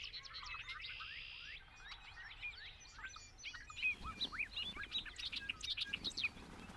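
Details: Bobolink song in a rushing, chattering stream of rising and falling slurred notes and quick twangy chips, starting with a brief buzzy stretch, over low background noise.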